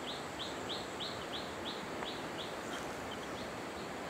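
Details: Hill blue flycatcher at Khun Korn Waterfalls, Thailand, 2012: a quick series of short, high, slurred notes, about three per second, fading after a few seconds over steady rushing water.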